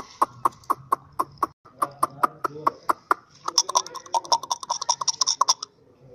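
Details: Chukar partridge calling: rapid clucking chuk notes repeated about four times a second, with a brief pause, then a denser, more rasping run of notes before fading.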